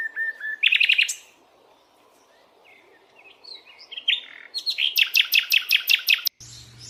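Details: Bird chirping in a natural setting: a low whistle, then a burst of rapid buzzy notes, a quiet gap with soft chirps, and a fast series of sharp repeated trills at the end.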